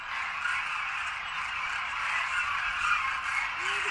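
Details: Demoiselle Cranes gathered en masse in winter at a grain-feeding site in Khichan village, Rajasthan. A thick, unbroken cacophony of rattling croaks fills the recording, with individual calls barely separable.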